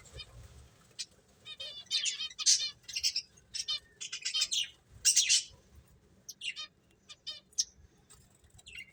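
Finches give bursts of high, buzzy chirps and short trills, several birds calling over one another at an uneven pace.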